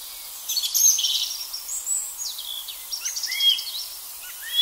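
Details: Song thrush singing in an April forest, with robin and chaffinch voices behind; bright, varied whistled and chirping phrases, some sharp rising notes, delivered in short bursts with brief pauses over a quiet background.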